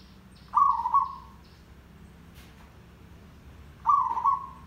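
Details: Two rolling, bubbling coos from a zebra dove, a tandang derak song played as a lure for trapping; each phrase lasts about a second and they are spaced over three seconds apart, with faint low hum between.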